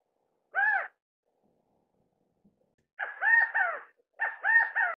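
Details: California quail (Callipepla californica), filmed while feeding chicks, gives a lone loud note, then twice repeats its emphatic three-note call with the middle note highest; nothing else audible.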